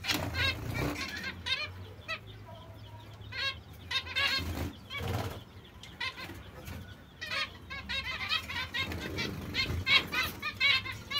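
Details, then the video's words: Young zebra finches with their mother, giving a dense stream of short, nasal, harmonic chirps that overlap from several birds at an irregular rate, over a steady low hum with occasional soft thumps. "Diamantini mandarino novelli con la loro mamma"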